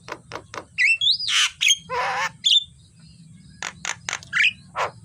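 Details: Javan myna morning training song: a varied string of high whistled notes, sharp clicks and harsh rasping squawks, some notes rising and sliding, delivered in uneven bursts with brief pauses.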